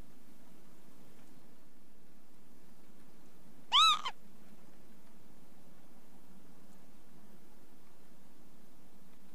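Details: Northern lapwing's brief, rising, slurred call with a faint trailing blip, heard once in a long stretch of low rumbling background noise.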